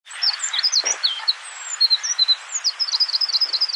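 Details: Icelandic subspecies of Eurasian wren (Troglodytes troglodytes islandicus) singing at Barnafoss, Iceland, in June: a fast, high, sustained jumble of sharp trills and twittering notes, with faint rushing background noise.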